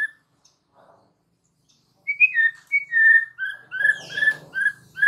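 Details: White-rumped shama in a training recording to draw answers from other shamas: a quiet start, then a run of short, clear whistled notes with thin high accents and a brief rasping chatter underneath.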